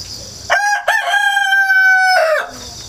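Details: Countryside rooster crowing repeatedly, recorded 1 September 2019 by GoPro and wireless microphone; a full cock-a-doodle-doo with two short opening syllables and a long sustained tone dropping at the end, shrill insects buzzing before and after.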